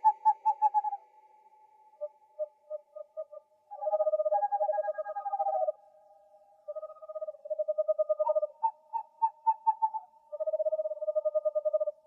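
An owl gives quick runs of short, even, hollow hoots on two alternating mid pitches, in bursts of several seconds with brief pauses. Nothing else is heard.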